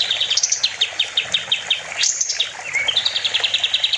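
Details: Sooty-headed bulbul (kapas tembak) singing actively as a master recording for training other songbirds: fast series of short high chirps and downslurred notes, with a brief rising whistle near the end and a rapid chirping trill.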